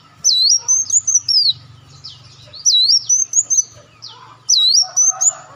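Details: Lure audio of an olive-backed sunbird: three bright whistled phrases, each a dipping swoop followed by a level high note and quick chips, spaced roughly two seconds apart.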